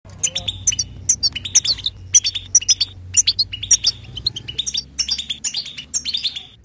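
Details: European goldfinch delivering continuous batbata-style song without pauses: rapid tinkling twitters and buzzy chirps in quick bursts, with short liquid trills repeated throughout; faint low hum underneath.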